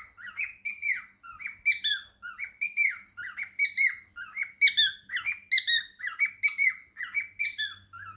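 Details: Cockatiel with indoor budgies, chattering and singing: steady flow of raspy chirps and bright squeaks, bursts following each other closely, faint low rumble near the end.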